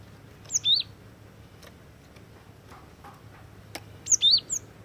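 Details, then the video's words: Cinereous tit (gelatik batu), a lively lure singer: two bursts of high, clear whistled notes, each a quick downslurred pair, separated by about three seconds of quiet with faint ticks and low background hum. "KICAUAN GLATIK WATU PIKAT GACOR"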